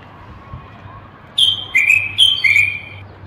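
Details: Common bulbul, a Moroccan male bird, song used to stimulate males to sing and prepare females for mating: four clear whistled notes alternating high and slightly lower, each held briefly, over a faint low hum.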